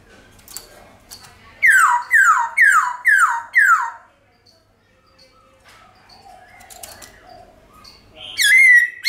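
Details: Forest song of a White-cheeked laughingthrush, played to get pet birds singing: five loud downward-slurred whistles in quick series, a quiet pause, then a sustained whistle at the end.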